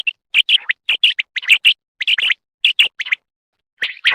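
A quail sings in quick bursts of two to four high, sharp chirps, with short pauses between phrases and no other sounds.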